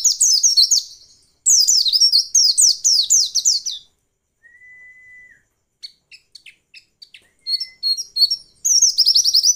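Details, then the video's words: A female white-eye sounds off to prompt males into song. Quick runs of high downslurred chirps, a gap with a faint thin whistle and scattered ticks, then the fast chirping resumes. "masteran pleci untuk merangsang bunyi pleci ombyokan"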